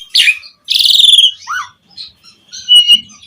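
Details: Asian pied starling singing to stimulate other starlings: a harsh chirp, a long buzzy rattling note, a short low slurred whistle, then quieter squeaky notes.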